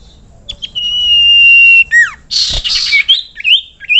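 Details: Common iora (sirtu, cipoh) song meant for tutoring birds: a long steady high whistle held for about a second, then quick falling notes, a burst of harsh noise, and a run of short rising whistles.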